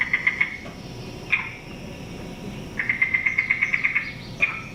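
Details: Yellow-billed cuckoo in spring giving its unusual hollow, wooden clucking call: a short burst, then single notes, then a quick run of about a dozen, over a faint hiss.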